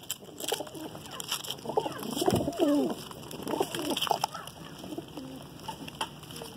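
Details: Pigeons kept at home, heard while feeding: low, wavering cooing notes swell mid-clip among scattered sharp pecking clicks and faint background noise.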